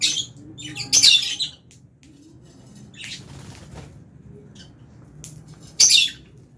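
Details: Aviary lovebirds, Fischer's alongside albino birds, chirping while feeding; loud high chirp bursts near the start, a buzzier burst in the middle and another sharp chirp toward the end, with soft background noise.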